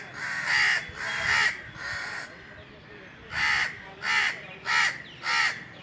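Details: Indian crow calling from a tree on a very hot summer day, three raspy caws, a gap of over a second, then four quicker harsh caws about 0.6 seconds apart.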